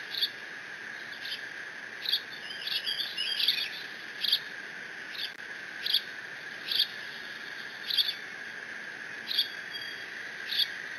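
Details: Bald eagle nestling, alone at the Decorah nest on 30 June 2017, squeeing while mantling a fish brought by its father in case siblings return; sharp high chirps repeated about once a second, with a brief twittered run, over steady hum.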